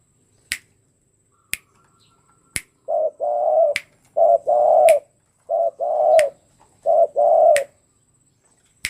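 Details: Tame spotted dove prepared for a song contest: after several sharp isolated clicks, four rounded, hollow coo phrases follow, each a short note then a longer drawn-out one, broken by further clicks and a faint high steady tone.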